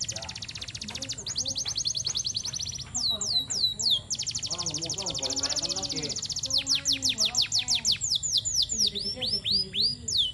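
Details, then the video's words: Canary singing by a garden edge, a master song for training: long rapid buzzy trills near the top of its range, then a run of loud downward-swooping whistles. Faint low warbling sounds underneath. "kenari gacor"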